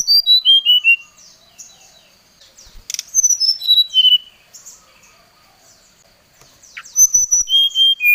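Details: Brown-chested jungle flycatcher challenging a rival with three bursts of rapid whistled notes, each series stepping downward in pitch, separated by quieter stretches of faint chirps.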